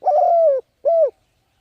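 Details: Spotted dove urging coo for training decoy birds: one long steady mellow coo sliding down at the end, then a shorter arched coo, close and clear with no background noise.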